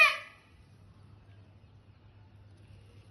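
A peacock gives one loud, harsh, nasal cry lasting a fraction of a second, then silence except for a steady low hum.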